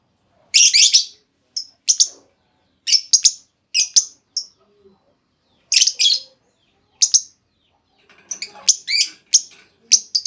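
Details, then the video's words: Lure call of a female lovebird meant to trigger long trilling in other lovebirds; loud shrill chirps, singly and in pairs, grow into a busier chattering sequence toward the end. "Pancingan Burung Lovebird Betina! Bakal Langsung Respon Lovebird Segala Kondisi Auto Ngekek Panjang"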